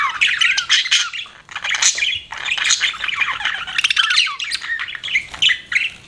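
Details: Budgie parrot chirping as a pet: a long, lively chattering warble of twittering notes, clicks and scratchy squawks with one short pause near the middle.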